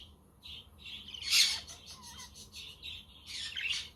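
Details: Pet budgerigars chirping on a windy but sunny day, with a quaker and a conure also heard in the background; soft warbled chirps alternate with a few louder harsh squawky bursts.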